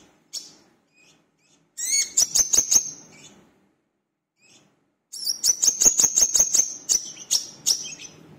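High, sharp twittering bursts from a brown-throated sunbird, each a rapid string of five or six piercing notes, repeated after short pauses.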